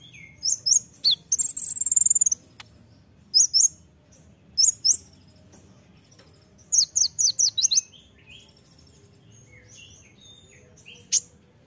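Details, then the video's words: Olive-backed sunbird (konin) song, energetic masteran style: sharp high chips, a dense buzzy trill burst of over a second, clusters of quick ringing notes, and scattered softer slurred calls between pauses. "masteran kolibri ninja (konin) gacor isian full tembakan"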